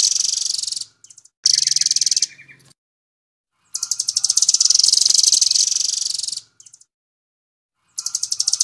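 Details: Velvet-fronted nuthatch, 'Doraemon' type, singing flat out for use as a songbird tutor recording: long rapid rattling trills, very high and buzzy, in bursts of one to three seconds with short silent gaps.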